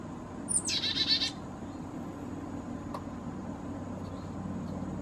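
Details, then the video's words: Black-capped chickadee at a feeder, 4000 feet up in the Great Smoky Mountains, possibly a hybrid with Carolina chickadee. It gives a brief thin high note, then a quick burst of harsh, buzzy dee notes, followed by quiet background hiss. "Black Capped Chickadee Call and Song"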